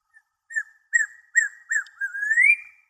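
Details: Watkins's Antpitta at Urraca Lodge, after running about on the ground, hops up into a tree and calls loudly, perhaps at the observer: four short, clear whistled notes about every half second, then a longer whistle rising at the end.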